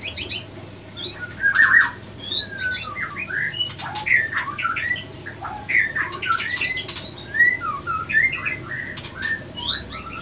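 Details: White-rumped shama male and female fighting after failed matchmaking; continuous harsh squawks and whistled slurs, rough and agitated, interspersed with sharp clicks and fluttering.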